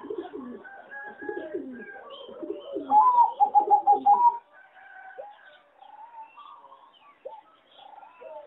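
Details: Singing zebra dove bred on farms for contests, called weak in melody: a jumble of low burbling coos leads into a loud, quick series of pulsed notes, followed by quieter drawn-out cooing phrases.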